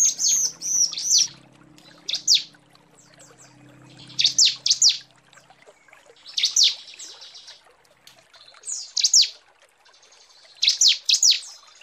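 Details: A female Bar-winged Prinia calling to males gives short bursts of high, sharp, downslurred notes about every two seconds, used as a lure call; a faint low hum is heard early on.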